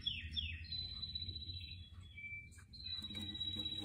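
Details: A canary near houseplants sings two sharp downslurred notes, then a long, thin, steady whistled tone that drops briefly lower before a high sustained trill returns. A soft low background hum is present.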